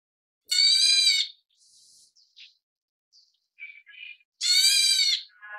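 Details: Black Bulbul chicks (Hypsipetes leucocephalus nigerrimus, a subspecies endemic to Taiwan) being fed by parents give two loud, harsh, rasping begging squeals about four seconds apart, with soft chips and short notes between them.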